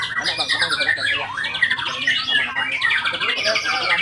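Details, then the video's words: White-rumped shama singing: a rich, varied run of loud whistled and slurred phrases, some swooping up and down, others quick rattling trills, delivered almost without pause; faint chatter of other birds in the background. "IN ACTION MURAI BATU SAKTI"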